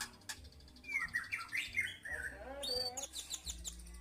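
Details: White-rumped shama singing vigorously in quick, varied whistled phrases, some sliding and warbling, others sharp and high, delivered in rapid succession over a low background hum.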